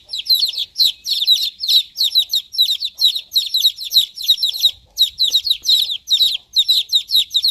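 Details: Several chicks chirp at once in dense, overlapping, shrill peeps that form an almost continuous chorus, with one brief lull near the middle.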